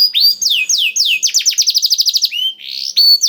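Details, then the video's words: Canary singing blackthroat-style phrases: several slow, drawn-out descending whistles, then an accelerating run of rapid repeated notes, ending with a rising slur and a level whistle. "KENARI ISIAN BLACKTHROAT #175 || VOICE OF CANARY"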